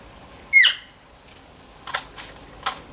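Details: Wild bird, not used to humans, approaching a person who offers food so it loses its fear: one sharp, harmonic squeaky call early on, followed by several soft clicks and rustling taps, indoors-sounding.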